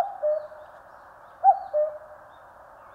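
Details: A common cuckoo in the Korean mountains calls cuck-oo. One complete two-note phrase falls in pitch, with partial calls at the start and end.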